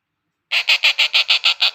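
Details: A hand-reared rose-ringed parakeet chick, deliberately kept partly fed for training, begs hungrily with loud, harsh, raspy calls repeated about six times a second after a brief silence.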